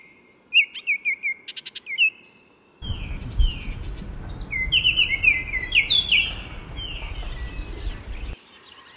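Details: Baltimore oriole (Icterus galbula) giving a phrase of bright slurred whistles, then continuing with rapid fluty notes partly covered by a loud rushing, rumbling noise lasting several seconds before quiet returns.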